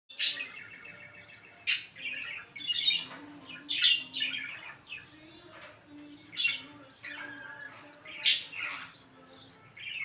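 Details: Indian ringneck parakeet giving loud, harsh squawks and shrill chirps in bursts every second or two, between quieter chatter, over a steady low hum.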